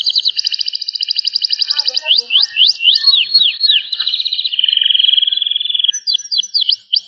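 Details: Loper-type canary, panda in colour, in dense cengkok rapat phrasing: a fast high rattle, a string of arching swept whistles, a smooth lower roll, then several sharp rising slurs.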